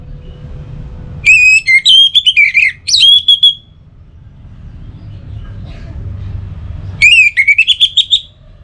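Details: Orange-headed thrush (Geokichla citrina) song played to prompt singing in morning and evening: loud, rich whistled phrases of varied, rising and falling notes in two bursts, separated by a pause with a low background hum.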